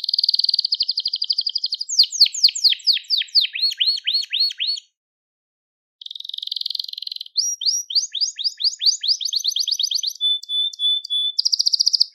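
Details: Crested Gloster canary singing long, high-pitched tours: buzzy sustained trills, rapid sequences of downslurred notes, a short pause, then rising notes, a flat whistle and a ringing trill.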